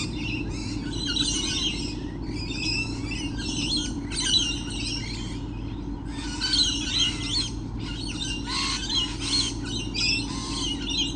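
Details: A crowd of lorikeets on 28 November 2013 gives harsh, high screeching calls in loud bursts separated by brief lulls, with a constant low background hum throughout.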